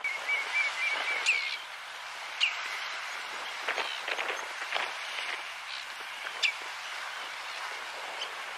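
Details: Red-necked phalarope recorded in June 2019 on Flatey, Iceland: short, sharp chirping notes scattered through, with louder clipped notes near 1.3, 2.4 and 6.5 seconds, over a steady outdoor hiss.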